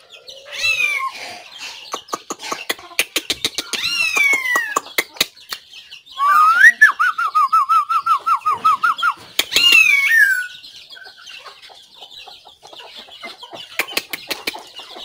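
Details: White-rumped shama, 17 April 2024, singing a long varied song: clusters of sharp clicks, swooping whistles, a rapid bubbling trill in the middle, and thin high twitters toward the end.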